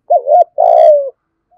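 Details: Decoy spotted dove of the 'giọng thổ' voice style, calling as a lure. Two short arched coos are followed by a longer, slightly falling, drawn-out coo, all low and mellow, then quiet.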